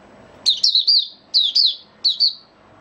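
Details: Male white-eye (mata puteh) in opening song (buka sing), dated 08012022: three short phrases of high, quick chirps, each starting sharply and sliding down into a thin trill, with brief pauses between them.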